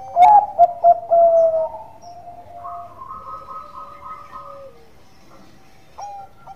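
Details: Bangkok-type zebra dove, singing actively as a lure: three quick loud coos leading into a long flat coo, with other doves answering in held, level notes and a brief final rising coo.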